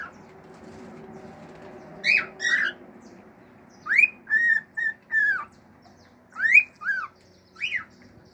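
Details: Male pet cockatiel kept at home singing its natural songs, which include mimicked birdsong, wolf whistles and clicks: clear whistled notes in two bursts, rising then falling and slurred, each a half second or less, over a low background hum.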